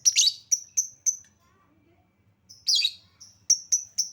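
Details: Lovebird lure recording for provoking song: a harsh squawk followed by thin whistled peeps, a pause, then another raspy burst and a string of evenly spaced high peeps.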